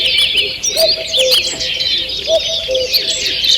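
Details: Morning birdsong in a forest on 2 June 2023: a dense chorus of high chirps and quick twittering trills, over a low, soft cooing phrase that repeats about every one and a half seconds.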